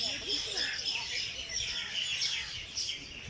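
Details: Several birds singing together at Jilani Park, Lahore, in the early morning: a dense wash of high chirps and short whistled notes overlapping without pause, with a faint low murmur beneath.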